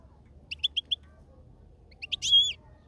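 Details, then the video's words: European goldfinch: four quick, high tinkling chirps in an even row, then after a pause a short cluster of chirps ending in a louder, drawn-out nasal note, over a faint low background rumble. "طائرالحسون في السلاكة الطبيعة"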